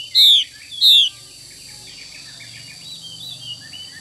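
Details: A female Chinese hwamei gives two loud, buzzy, falling 'xùy' notes in quick succession, followed by quiet distant twittering and a low background hum.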